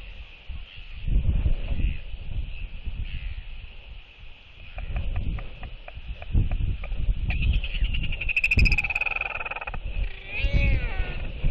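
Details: Northern royal albatross pair greeting each other with skycalls at the nest, reaffirming their bond during egg incubation, 16 December 2023. Heavy wind rumble throughout, then a drawn-out, harmonic braying call near the end, followed by a short rising call.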